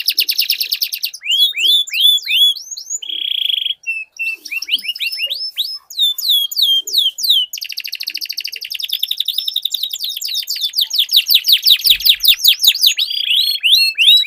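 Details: Dueling canaries with sweet, long rolling song, used to prompt quiet canaries to sing: varied whistled slurs, a buzzy held note, then extended fast rolls of repeated chirps, several voices layered together.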